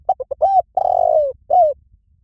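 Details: One full 'liu tan' style coo phrase from a Spotted dove, played to draw captive doves into cooing back: three fast short notes, a swelling rising coo, a long slurred falling coo, and a brief final coo, with no other sounds.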